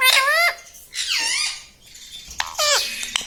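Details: Pet rose-ringed parakeet, a green ringneck kept indoors, talking in a small room: three high, squeaky, voice-like bursts with stacked harmonics, each sliding downward, separated by short pauses.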